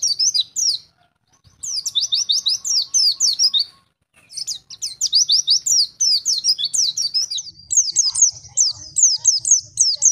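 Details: White-eye song in the wild forest style, made to train young birds: repeated series of quick descending chirps in bursts, with brief silences between runs and a long final trill-like series.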